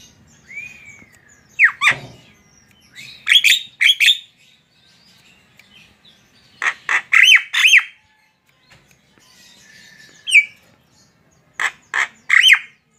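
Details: Javan myna (jalak kebo) in varied song: a rising whistle, then scattered bursts of harsh rasping notes, squawks and short whistled phrases separated by brief pauses.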